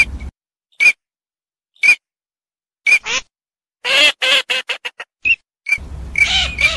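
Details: Eurasian teal: isolated high whistled notes about a second apart, then a rapid burst of harsh, nasal, quack-like calls, followed by more whistles over a low rumbling background.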